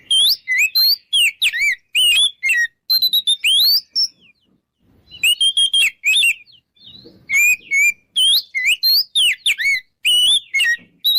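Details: Long 'ngeplong' song of an Oriental magpie-robin used to incite rival birds to fight: repeated bursts of loud, crisp whistles and rapid up-and-down slurs, broken by two short pauses, very clean with no other sounds.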